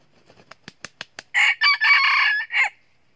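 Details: Wild red junglefowl rooster, one of two roosters crowing very loudly before running into a fight, during foot-lasso trapping; a run of quick dry taps speeding up, then a loud harsh crow in four segments, the last syllable dropping.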